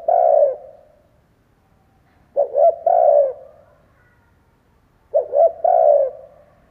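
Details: Decoy spotted dove calling to stir wild doves. Three mellow, low coo phrases, each a short double note and then a long resonant coo, about every two and a half seconds. Clean, quiet setting.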